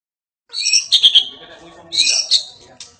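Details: A White-rumped shama singing actively (gacor) bursts out with two dense clusters of high, sharp, chattering notes, separated by a short gap.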